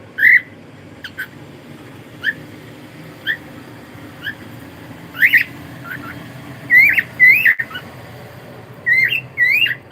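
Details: Cockatiel kept as a pet giving scattered short chirps and a few louder arched squawks, spaced irregularly over a steady low hum of room noise.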